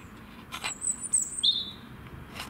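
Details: A robin singing its heart out, seen on coming home from work. It gives two thin, very high drawn-out whistles, the second lower and steady, with a few sharp clicks and taps around them in a quiet setting.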